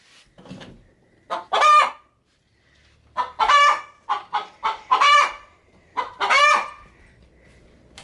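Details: Hen kept as a pet, getting ready to lay inside a feed sack, cackling and making odd noises when approached: soft low clucks, then a run of rapid harsh notes building into drawn-out raspy squawks, uneven timing.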